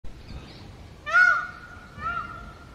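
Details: Indian peafowl calling outdoors, one of several birds recorded at different places: a loud, nasal, harmonic wail at about one second, then a second fainter, shorter call, with rustling rural background noise.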